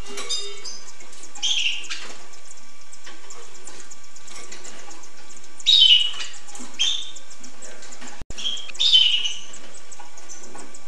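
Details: Hooded siskin giving scattered buzzy twittering phrases, a few seconds apart, with a brief sharp knock between two phrases over a steady low hiss.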